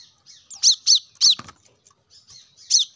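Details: Plain-throated sunbird, known locally as kolibri kelapa, with a few high, slurred chirps, two close together then another, plus soft twitters and a short rustle, played to encourage caged birds to sing.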